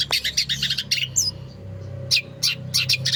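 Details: Long-tailed shrike (pentet) in Indonesia delivering a varied song: quick bursts of harsh, high chips and trills, a brief slurred whistle, then a short pause before further scratchy note clusters, over a low steady hum.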